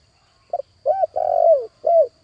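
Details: Decoy spotted dove calling to attract wild doves, one phrase of a soft short note followed by three mellow coos, the long middle coo sliding down, quiet background.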